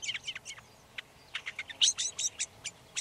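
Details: Red-backed shrike (Lanius collurio) giving a rapid sequence of sharp, high chips and scratchy squeaks, irregularly spaced, loudest in the middle of the phrase.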